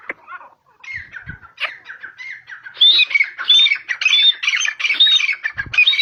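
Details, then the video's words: A Grey francolin in Pakistan gives a loud, rhythmic series of high whistled phrases, repeated steadily about twice a second. Softer lower chattering leads into it. "Voice of Teetar Bird - Gray francolin Teetar Ki Awaz Dakhni Teetar"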